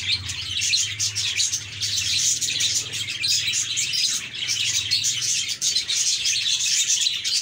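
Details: Several cheerful budgies chatter at once, overlapping high chirps and buzzy warbling forming a steady bright stream, with a faint low hum underneath.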